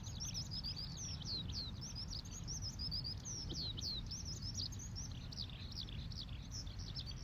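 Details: Eurasian Skylark in flight pours out a continuous, high, rapid warble of trills and chirrups before diving, at a grassy campsite in Ibaraki, Japan, on a cool, overcast morning after a night of strong wind. A steady low rumble of breeze sits underneath.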